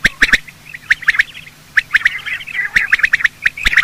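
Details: Male and female quail in morning calling, a hunting lure sound: scratchy chirps in small groups with a rolling, warbled chatter in the middle and sharp clicks.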